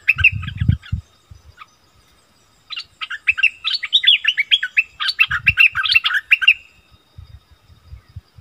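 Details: Wild striated bulbuls arguing intensely: after low rumbling thuds, an energetic stream of quick jumbled whistled notes rises and falls, ending in a short drawn-out note. Soft knocking sounds continue underneath.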